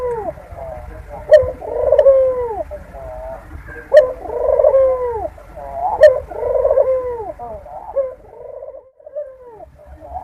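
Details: Barbary dove mating call, used as a lure to bring doves quickly into breeding condition: rolling, bubbling coos in repeated phrases roughly every two seconds, each opened by a sharp click, with faint background hum.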